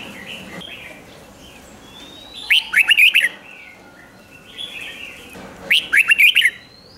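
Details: Caged-bird excitement recording of a red-whiskered bulbul's doubled 'ริก' song: two loud phrases of five or six jaunty whistled notes about three seconds apart, with quieter warbles and chirps from other birds behind.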